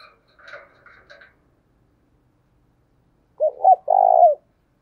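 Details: Spotted dove decoy for luring wild birds. Faint muffled sounds come first, then after a pause come two short coos and a long vibrating burred coo.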